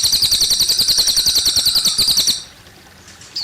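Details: Cililin singing with running water: a fast, even trill of high, bright notes at about three per second, stopping after two seconds, then a faint downward whistle.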